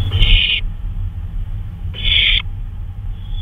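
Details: Owl on a nighttime flyabout, 2:39 AM, May 26, 2013: two drawn-out, hoarse hissing screeches, each over half a second long, about one and a half seconds apart, with faint low hum behind.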